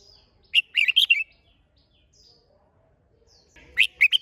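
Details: Red-whiskered bulbul singing in competition style (hót đấu), two lively warbled phrases about three seconds apart, each a rapid run of four or five clear, liquid notes bending up and down.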